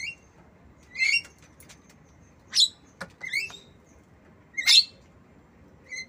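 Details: Black-winged myna mimicking a lovebird, recorded to tutor mynas and lovebirds; varied chatter of rasping shrieks, rising squeaky whistles and chirps, with a brief dull knock partway through.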